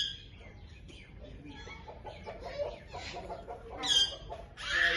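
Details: Ringneck parakeet chirping: a string of short, rough chirps and squawks, getting louder toward the end with two strong harsh bursts, over a low background hum.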